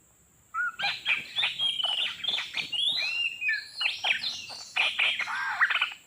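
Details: Wild Oriental magpie-robin in a trapping session, described as fierce; a loud, rich, continuous run of varied whistles, rapid rising and falling slurs and harsh chattery notes, with a steady high electronic tone behind.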